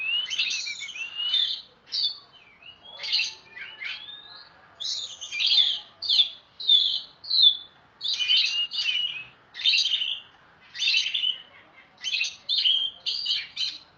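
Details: Oriental magpie-robin singing loudly, recorded for training other songbirds: varied phrases of rich whistles, slurred notes and harsh chattering elements in bursts separated by short pauses.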